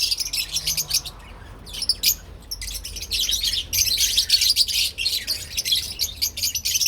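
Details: Lovebirds, parblue and opline colour forms, keep up fast, uneven high chirping, several notes each second, growing steadier and fuller in the second half.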